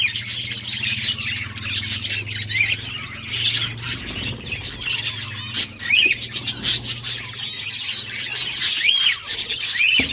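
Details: Budgies singing happily, a constant high, scratchy chatter with repeated short up-and-down squeaks, over a steady low electrical hum and a few sharp taps.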